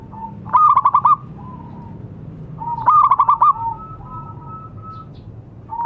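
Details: Local zebra dove, a bird in full voice, kept to coax silent doves into singing: two clear phrases of quick, bubbling coos, each a run of about five rolled notes ending in a long steady hum, three seconds apart.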